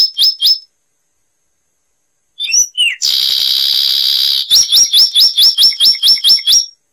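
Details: Zapata wren singing, a bird of Cuba: bright up-slurred notes repeated rapidly, a pause, a dense buzzing trill held for over a second, then another quick run of sharp rising notes. No other sounds.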